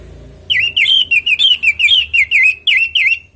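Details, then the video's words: Orange-headed thrush singing a lure song, meant to prompt other thrushes to answer: a rapid run of about a dozen loud whistled notes, each slurring down and up, delivered in quick bursts after a short quiet start. "Pancingan burung anis merah|Agar nyaut Dan ikut ngeplong|"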